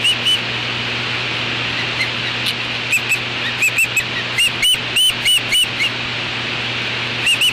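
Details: Juvenile osprey at its natal nest on an afternoon in August 2013, repelling an intruder that appears to be a black vulture: scattered short, thin upslurred whistled chirps, some in quick pairs, over a steady low electrical hum.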